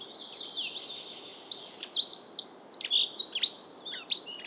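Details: Dunnock singing in Estonia: a rapid, high-pitched warbling jingle of thin tumbling notes, running almost without pause through the whole stretch, with faint background hiss.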